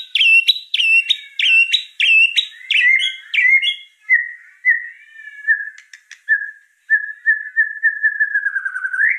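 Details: White-rumped shama (murai trotol) singing: a quick series of repeated sharp chipping notes about twice a second, easing into softer sustained whistles that waver and rise at the end.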